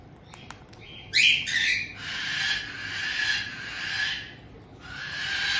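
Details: Pet white-bellied caiques in Tokachi, Hokkaido, Japan: a resident mated pair seemingly welcoming a newly arrived young bird of about two months, June 18, 2023. A piercing squeal is followed by sustained raspy, buzzing screeches and another long harsh burst.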